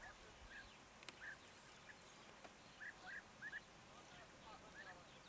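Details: A European greenfinch, apparently in the Jordan Valley, gives soft, short chirping notes, singly and in quick pairs at irregular intervals, against a steady hiss of background noise.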